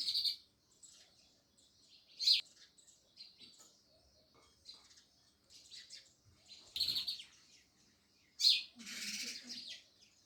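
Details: Sparrows chirp in scattered loud bursts and soft twitters, with several strong high notes spread over ten seconds and some rustling noise between them.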